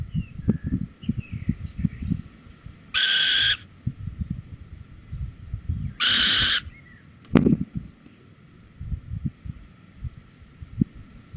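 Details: Little owl, male delivering a cockchafer at Holten, 4 May 2020 at 21:16; two loud, rasping, flat calls of about half a second each, three seconds apart, amid rustling and low background noise.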